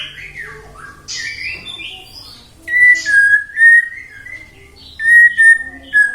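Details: White-rumped shama song for coaxing other shamas to sing: soft wavering whistles and slides, followed by clear steady whistled notes repeated in short groups with brief gaps.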